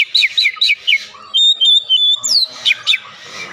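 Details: Oriental magpie-robin lure recording for prompting singing: a run of repeated bouncy two-part notes, then a sustained thin whistle, a sweeping down-slur and a few sharp calls.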